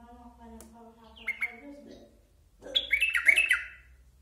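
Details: Basra bulbul calling indoors: after a man's low voice, a burst of bright, rapid chirping notes with quick up-and-down warbles, over about one second.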